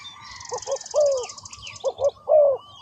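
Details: Spotted dove cooing: two short paired coos, then a longer drawn-out falling coo, with the pattern repeated once. Thin high chirps from small birds sound faintly above.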